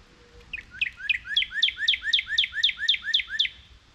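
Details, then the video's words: Northern cardinals wait under a feeder for seeds to fall while a squirrel has breakfast. A rising lead-in gives way to about ten loud, evenly spaced slurred whistles, each dropping in pitch, delivered at roughly three per second. "Squirrel Eating Seeds Distracted by Cardinal Bird Sounds"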